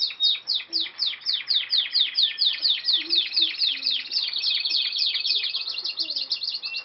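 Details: Canary in new song: a fast series of bright, sweeping downward notes repeated several times a second, then running into a denser buzzing trill, with faint lower chirps beneath.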